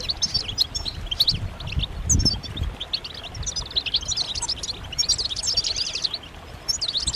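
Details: Several European goldfinches call together. These are the mating and readiness calls said to stimulate males to sing. Quick, sharp, tinkling chirps come in clustered bursts, with a short low thump near two seconds.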